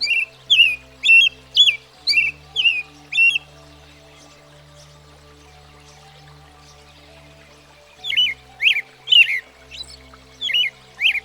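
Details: American Robin, a common American backyard bird, singing a quick bout of about seven short warbled phrases, a long pause, then another run of rising-and-falling caroled notes, with a faint steady hum beneath.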